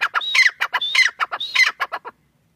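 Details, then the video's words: A pair of francolins, irani teetar, calling in loud grating bursts: short clipped notes alternating with longer squealing phrases, three cycles in just over two seconds, then silence. "Teetar pair ki awaz | irani teetar ki awaz"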